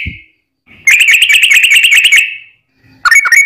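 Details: Yellow-vented bulbul singing a long-rolling fighting song meant to provoke other bulbuls into answering: a low rumble, then a fast buzzy chattering trill held near one pitch for under two seconds, and a short sharp burst after a pause.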